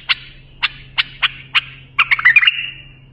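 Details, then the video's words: A bulbul, its song used for tutoring young bulbuls, gives five short, bright notes about half a second apart, then a fast tumbling phrase of liquid whistles ending in a thin trailing note. "بلبل للساناته إبداع يفيد للتخريج صغار بلابل"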